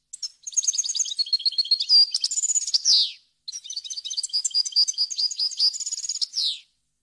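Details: European goldfinch delivering varied wild-style song for young birds to learn: two long, nearly continuous phrases of bright rapid twitters, tinkling trills and a downward buzzy flourish at each end.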